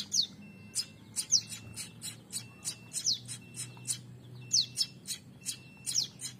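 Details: A pair of young prinias, newly becoming active, give thin, high chirps and sharp descending squeaks, repeated every half second or so, with a low hum underneath.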